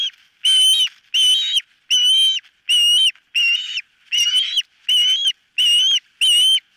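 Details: Osprey at the nest on a nest camera, giving longer drawn-out whistled cries, each about half a second, repeated nine times at an even pace of under one per second.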